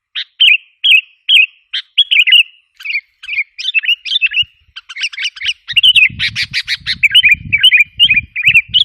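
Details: Sooty-headed bulbul calling as a lure to provoke wild birds: lilting, slurred phrases at first, growing into a dense burst of harsh chirps and warbles, with low rumbling noise in the second half.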